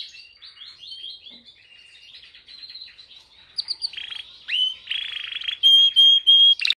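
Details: Canary singing while held in the hand: soft rapid twittering phrases at first, then louder sustained rolling trills and a pure whistled note repeated several times, ending with a sharp burst.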